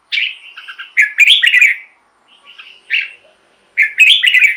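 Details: Red-whiskered bulbul song played to excite caged birds or lure wild ones: bright, liquid whistled phrases in short bursts, then a pause and another warbling run.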